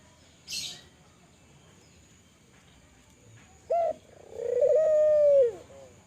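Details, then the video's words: Kelantan-type spotted dove in full voice, a call meant to prompt other doves to answer. After a quiet start with a soft rustle comes a sharp short note, then a drawn-out vibrating coo ending in a downward slur. "Suara burung TEKUKUR gacor, merangsang burung Tekukur agar bunyi, burung tekukur kelantan gacor."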